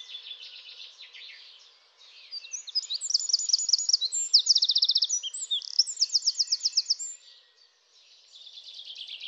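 Eurasian wren delivering a loud, high, tumbling song of rapid notes and fast rattling trills lasting about five seconds, with softer high chatter before and after.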